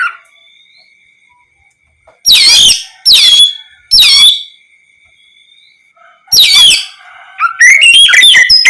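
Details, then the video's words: Oriental magpie-robin, ngeplong style, sung to make other magpie-robins answer; several separate sharp downward-sweeping notes spaced about a second apart, then a quick burst of whistled phrases at the end. "Terapi suara Kacer ngeplong untuk pancingan Kacer apapun agar ikut bunyi nyaut gacor"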